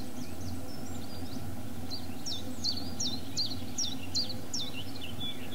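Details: Chiffchaff singing in Barrington, Somerset, in April 2013: a steady run of thin, high, even chip notes alternating slightly in pitch, about two to three per second, over a constant low rumble of traffic or wind.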